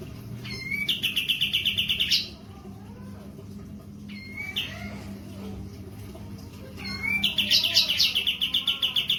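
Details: Cream-vented Bulbul in breeding condition with spread tail, giving two fast, even trills of repeated high notes, each opened by an upslurred whistle, over steady low background noise.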